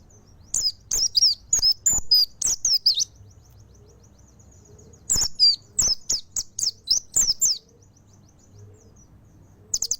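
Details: Mountain white-eye in full song, two long runs of bright, rapid downslurred twittering notes, then near quiet before a final short burst at the end.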